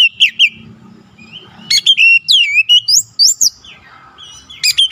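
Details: Oriental magpie-robin singing a varied song of scattered whistled and slurred notes, sharp high sweeps in short groups separated by brief pauses, over soft low background hum.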